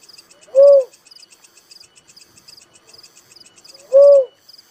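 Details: Two rounded, low hooting coos of a Little cuckoo-dove, a few seconds apart, with rhythmic high insect chirping filling the background throughout.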